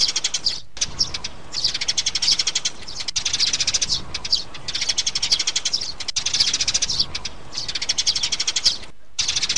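Sparrows chirp nonstop in dense, high, rapid chatter, with overlapping bursts every couple of seconds as several birds call together. A faint steady high hiss runs underneath.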